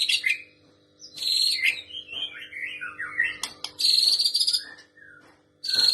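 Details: White-rumped shama in juvenile spotted plumage reproducing female prinia calls: loud buzzing rasps alternate with a tumbling run of quick warbled whistles and brief clicks, over a constant low hum.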